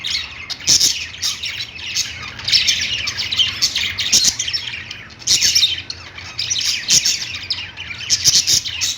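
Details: Pet-store budgerigars chirping on their perch. Shrill twittering comes in waves, with sharp clicks and squeaky notes layered over one another, against a quiet mechanical hum.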